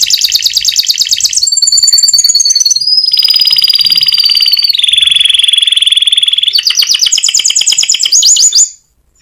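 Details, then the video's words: White canary, used as a lure to draw responses from other birds, in full song: fast high trills, then a long buzzy sustained roll lasting several seconds, then quick repeated chirping phrases, ending abruptly. "SEMUA Burung PASTI MERESPON DAN COCOK Dengan PANCINGAN KENARI PUTIH GACOR ini! KENARI Gacor Nembak"!"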